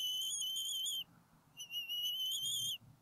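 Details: Bald eagles defending their nest on a northwest Georgia college campus, April 2018, the male chasing off an intruder; two long, steady, thin whistles, the second slightly rising at its end, over faint low rumble.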